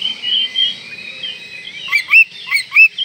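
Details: Oriental magpie-robin in breeding condition, song provoking rivals: soft wavering whistles, then four loud upward-curving whistled notes about a third of a second apart.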